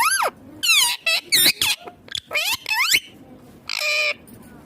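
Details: Pet ringneck green parrot giving its natural sounds: a burst of shrill, harsh screeches and rising-falling squawks in quick succession, separated by short gaps, ending on a long raspy note.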